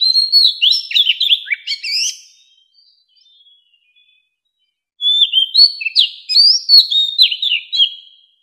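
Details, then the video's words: An old wild Oriental magpie-robin sings in a 2020 recording meant to attract wild birds and train songbirds. Two loud bursts of warbled, slurred whistles and quick notes are separated by a near-silent gap. "Tiếng chòe than già rừng hót - Tiếng chòe than gọi bổi"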